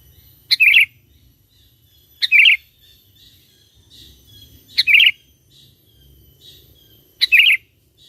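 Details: Sooty-headed bulbul singing energetically as a lure for wild bulbuls: four crisp, bubbly twittering phrases, each opening with a high sharp note, repeated every two to two and a half seconds in near quiet.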